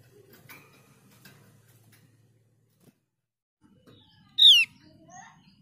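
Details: One bright, downward-slurred whistle from a Javan grey-throated white-eye (opior jawa) after a few seconds of quiet with faint rustling and soft ticks.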